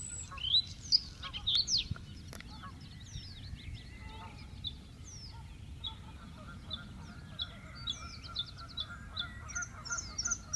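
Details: A Bluethroat sings in the Biesbosch, the Netherlands, on 10 April 2017: a varied run of high sharp chirps, ringing notes and scratchy trills over a steady low wind rumble and distant background noise.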